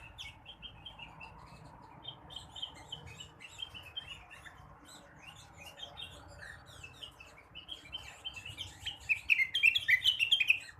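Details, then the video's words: Blue-winged leafbird at morning, soft scattered chirps and twitters over steady background noise, rising at the end into a loud fast run of bright whistled notes. "kicauan rengganis atau cucak wilis di pagi hari."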